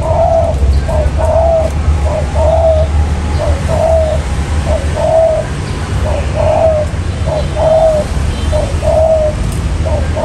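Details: Spotted dove lure call used for trapping wild birds: low mellow coos in short two- and three-note phrases, repeated steadily over a constant low rumbling hum.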